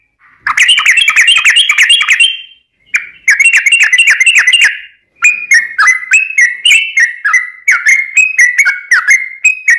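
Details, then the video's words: Vigorously singing yellow-vented bulbul meant to lure other birds: two long bursts of fast bubbly chatter, then a slower series of distinct whistled notes rising and falling in pitch. "Ini Baru Pancingan Trucuk Sesungguhnya || Burung TRUCUKAN GACOR"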